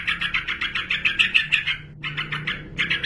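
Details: Yellow-vented bulbul, male, calling to challenge a rival: fast runs of bright, clipped notes, a short gap, then a renewed burst of the same rapid chatter.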